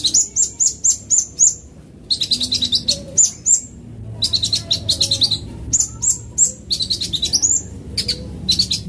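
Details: Van Hasselt's sunbird, used as a fast lure sound: rapid, high, thin chirped notes in quick bursts, some sharp and rising, with short pauses between phrases and a faint low hum beneath.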